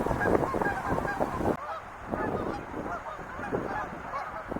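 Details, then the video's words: Many wild geese calling, a loud mass of honks that drops suddenly after a second and a half, then continues as a softer chattering chorus. "sounds of wild geese"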